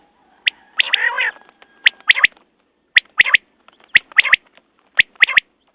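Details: Quail calling: sharp clicky notes in quick clusters of two or three, about one cluster per second, with a longer harsh, wavering note early on. Quiet background.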